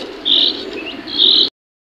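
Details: Captive black francolin (Francolinus francolinus) chicks give two thin, high peeps about a second apart, with a faint softer note between them.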